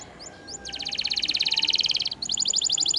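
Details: Domestic canary in full, vigorous song, offered as tutor and filler material for canaries that have stopped singing: a few high chirps, then a long, fast, rattling high-pitched trill of about a second and a half, a brief break, and another rapid trill.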